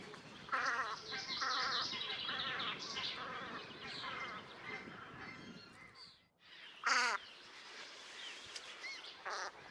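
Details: Velvet scoters (Melanitta fusca) in a flock at Liepāja, Latvia, March 2024, giving harsh, nasal overlapping calls in a dense chatter, with a louder drawn-out call standing out after a brief lull.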